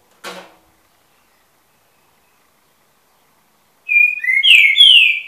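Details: Eight-month-old juvenile green-winged saltator: a short burst of loud, clear whistled notes, some slurred upward, after a single knock and several seconds of silence.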